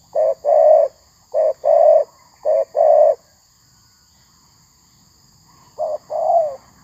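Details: Tekukur, the spotted dove, calling at a trapping session where a decoy bird fights rivals; three quick pairs of short and longer mellow coos, a pause, then one more pair.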